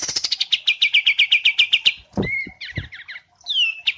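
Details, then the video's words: Songbird used as a training song, a rapid burst of about fifteen bright chirps sliding down and repeated several times a second, then a clear whistled note and quick buzzy twitters, with low knocks in between. "Masteran Wambi Mini vs Kapas Tembak"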